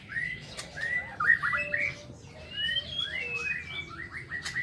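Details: White-rumped shama singing in the morning inside an aviary: a varied run of clear whistled phrases, slurred notes rising and falling, some sweeping upward, delivered in quick succession with brief pauses, over a faint low background hum.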